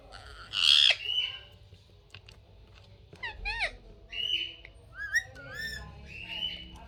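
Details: A pet parrot kept in a home gives short harsh squawks and rising and falling whistled notes in scattered bursts, with quiet pauses between them and a faint room hum underneath.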